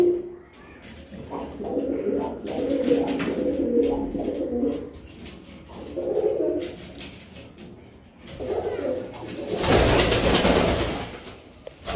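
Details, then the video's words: Pigeons give low, rolling coos in bursts of a few seconds separated by quieter gaps, followed near the end by a loud rustling, flapping noise. "Pigeon Sound"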